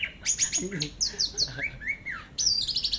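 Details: Orange-headed thrush in teler style, for a masteran: dense medley of sharp high chirps, downward-slurred whistles and quick trilled bursts, with a faint low voice briefly underneath.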